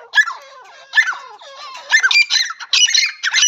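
A female partridge gives harsh, squeaky, rasping notes in short bursts about once a second, growing denser and more clamorous toward the end.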